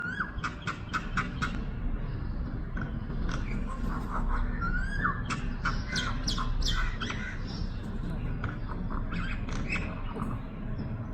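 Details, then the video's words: A common myna on a rooftop, happily eating soft milky grains, gives a varied run of sharp clicks, whistles and squawky chirps, some slurred, over steady low background rumble. "Beautiful Chirping Sounds of Myna Bird"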